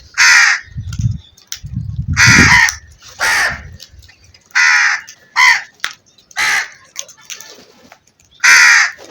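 A crow gives harsh, hoarse caws, about seven strong calls spaced roughly one to two seconds apart, with some low rumbling noise between.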